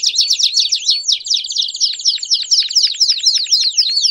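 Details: Belgian canary bursting with song, a quick chain of sharp, sweeping chirps that dip and rise in rapid succession, about four notes a second, bright and loud throughout.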